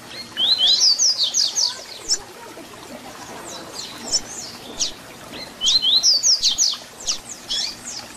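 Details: ["Double-collared seedeater (papa-capim) singing the 'Tui Tui Zel Zel' fibra song style, used for teaching young birds: two bright phrases of rising whistled slurs, then quick high downslurred notes. Softer chirps from other birds fill the gaps."]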